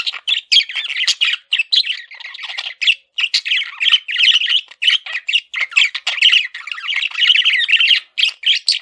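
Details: Male budgerigar kept as a pet, singing a steady rambling warble of rasping notes and quick chirps, rhythmic and continuous for nearly nine seconds.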